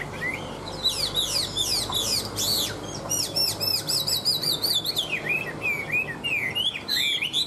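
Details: Nearly tame caged Chinese hwamei in full, unbroken song: rapid bursts of high, slurred whistles and trills give way to a long run of swooping, looping whistled notes, with little background noise.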